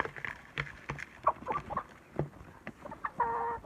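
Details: Village hens kept in a backyard henhouse making scattered short clucks and taps at irregular intervals, ending with a sustained, nasal, harmonic call about half a second long.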